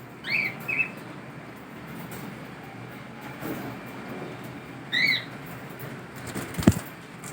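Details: Cockatiels out of their cage give short, bright, rising-and-falling whistled chirps in two brief bursts.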